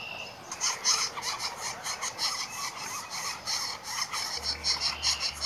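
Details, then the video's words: Northern flicker nestlings being fed by the male give a dense, raspy buzzing chorus of begging calls in rapid, uneven pulses, roughly two or three per second, with a faint low hum late on. "Northern Flicker Feeding Hatchlings"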